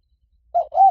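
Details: Spotted dove, Liw Tan song style for luring a dove and training it to answer: a brief fragment of two soft, low coos, the second slightly longer and arched.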